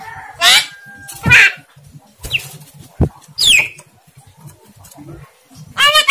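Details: Javan myna trying to speak unclearly: harsh raspy bursts, a sharp knock, a high descending whistled squeal and a closing nasal, voice-like syllable.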